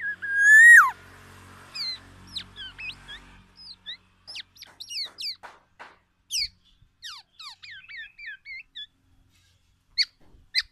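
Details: Black-naped oriole challenging other orioles with song full of oriental magpie-robin imitations: one loud, rich downward-curving whistle, then a long, quieter stream of thin, varied chirps and quick sweeps.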